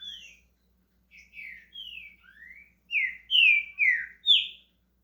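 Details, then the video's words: A caged green-winged saltator in Brazil warming up its song: soft, hesitant whistled slurs at first, then four louder, clear descending whistles delivered rapidly about twice a second. "Trinca ferro SHREK começando a cantar"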